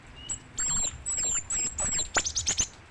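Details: Great tit (gelatik batu) in vigorous song: drawn-out, very high thin whistles repeated several times, ending in a quick run of sharp, high, bouncing notes.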